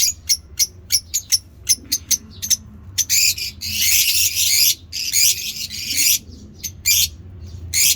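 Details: Pet African lovebirds, colour mutations, giving ngekek chatter at feeding time: a quick series of crisp, separate chirps, then long rasping, screechy bursts that run together, broken by brief pauses.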